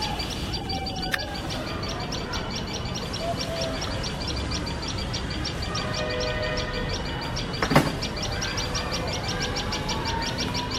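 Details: Tailorbird pair alarmed by a male cat near their nest, giving a long steady train of shrill high chips; faint whistled tones, a click and a brief bang in the background.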